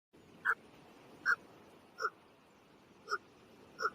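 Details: Birds in the morning: five short, clipped chirping notes, each with a bright upper overtone, spaced unevenly about a second apart over a steady background hiss.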